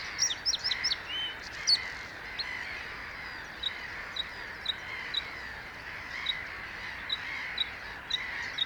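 A Bluethroat sings: a quick burst of varied high chirps, then sharp ringing single notes spaced about half a second apart, over a steady high background hum.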